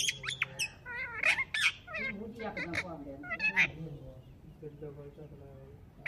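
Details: Pet rose-ringed parakeet talking: rapid speech-like babble of wavering, chattering notes with a few sharp squawks, trailing into softer low murmuring before a final squawk.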